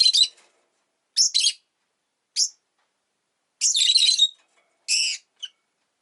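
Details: Two rosy-faced lovebirds huddled together at an entrance give bursts of harsh, high, chattering chirps in short clusters, separated by brief pauses.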